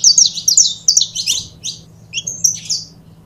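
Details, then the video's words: Saffron finch pair in captivity giving rapid high twittering notes, dense bursts at first that thin into scattered chirps and a lower short note near the end; steady low hum behind. "Casal de Canário da Terra Bom Para Foguear!!!"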